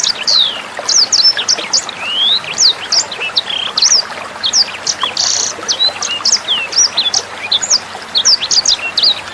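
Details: Sanger bird tutor song meant for training Murai Batu, Kacer and Cucak Hijau. A long, energetic stream of sharp high chirps, rising slurs and brief buzzy notes, with faint trickling water behind.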